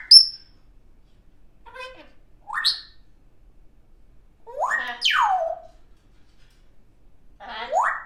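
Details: Baby African grey parrot kept as a pet, making varied funny noises: a sharp high whistle, quiet muttering, rising squeaky slides and a loud descending squawk-like sweep, then another upward sweep.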